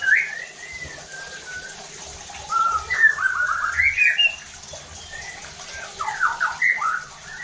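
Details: White-rumped shama singing as a provoking song for other shamas: low whistled notes, then a burst of rapid, scratchy, varied phrases, repeated chattering notes near the end.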